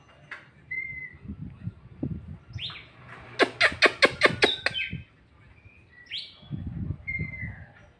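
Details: Oriental magpie-robin, a bird said to perform easily at home yet struggle at song contests, sings varied whistles and sweeping slurred notes around a quick run of six rapid sharp clicks, with low rumbling noise underneath.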